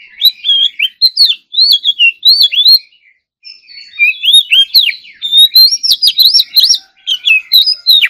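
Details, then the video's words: Caged Oriental magpie-robin in morning singing practice delivers a rich, varied run of whistled phrases, swooping up and down with sharp chips between, pausing briefly near the middle before resuming more rapidly. "choè than hót đấu"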